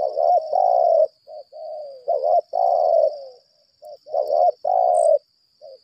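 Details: 'Lambung kuk' decoy spotted dove in challenge calling ('berlaga'): strong, rough, rolling coos in phrases, each loud drawn-out note followed by short softer ones, repeating every couple of seconds against a continuous thin high whine.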